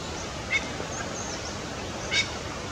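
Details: A male Lady Amherst's pheasant calls from a distant hillside near Deer Lake, Labahe, Sichuan, at 6pm on 1 May 2017: two short, sharp, harsh notes about a second and a half apart over steady background hiss.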